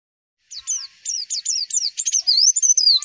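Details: White-eye (pleci) tutoring song played to make other white-eyes answer: a fast, high chattering run of sharp downslurred whistles after half a second of silence, growing louder and denser toward the end.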